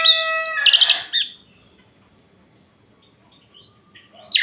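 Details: Night-time orange-headed thrush song used to stir up other males: an opening second of rich whistles and harsh, buzzy chattering notes, then quiet with a faint note or two before a sharp note at the end.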